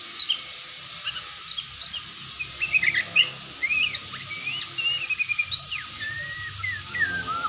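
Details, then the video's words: White-rumped shama, a popular cage bird in Indonesia, singing a varied series of clear whistled notes, upslurs and downslurs, with some notes rising sharply and others falling, in irregular sequence. "suara merdu MURAI ini"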